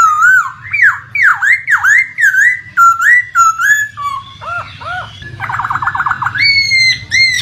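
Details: Laughingthrush lure song meant to stir a silent bird into singing: loud whistled notes swooping down and up in quick phrases, then a fast rattling trill and a high level whistle, over a steady low rush of flowing water.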